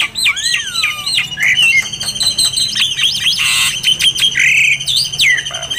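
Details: White-rumped shama song meant for training other birds: rich mix of looping whistles, steady high tones and scratchy notes, with a short harsh burst partway through.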